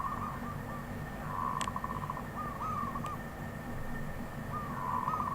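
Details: Wild zebra dove song: repeated short trilling coos, quick stuttering notes strung into phrases spread across five seconds, over a low rumbling background with a faint hum and occasional clicks.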